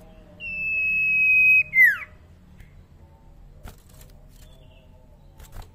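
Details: A young common iora whose voice is still soft gives a single drawn-out steady whistle lasting over a second. It ends in a sharp downward slur, followed by near silence with a few faint knocks.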